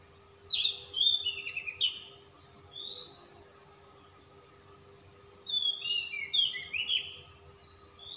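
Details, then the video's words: Oriental magpie-robin, calm type, singing persistently with a rich fill: a cluster of quick sharp chirps, a lone rising whistle, a quiet gap, then another rapid run of downslurred whistles and chirps over a faint hum. "kacer ngotot ngobra isian mewah kacer Type dingin"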